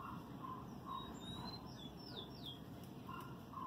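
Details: Kept lined seedeater moulting its feathers and beak, recorded on 12 November 2018: a short run of thin, high whistled notes, each sliding downward. Soft lower chirps repeat underneath, over a steady low background hum.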